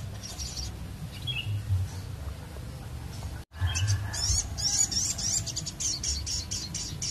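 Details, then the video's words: Crested jay, a recording used as a lure for birds, giving rapid dry high-pitched rattles and buzzy chatter, broken by a brief silent cut, over a steady low rumbling background. "SOGON GACOR PIKAT BURUNG"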